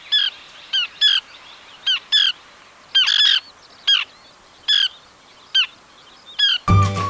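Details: Small Pratincole in Sri Lanka giving short, high, sharp tern-like notes in quick bursts of one or two, repeated irregularly; a brief burst of music at the end.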